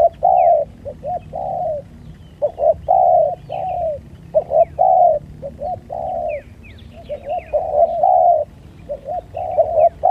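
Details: Spotted doves in a fight, dense overlapping low coos in quick bursts, short and long notes crowding together for ten seconds, with scattered high chirps from other birds.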